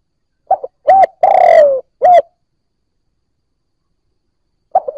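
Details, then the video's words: Recently caught spotted dove starting to call, used to prompt other new birds: a few low, throaty coo notes in quick succession, a long silence, then one short coo near the end. "Cu gáy bổi mới nổi gáy / Tiếng cu gáy kích bổi nhanh nổi"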